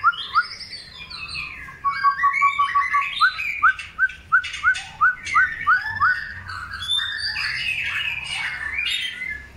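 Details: White-rumped shama of the long-tailed type in the pairing process for breeding: a rapid series of sharp repeated downslurred notes, about three per second, then a jumble of rich warbled phrases.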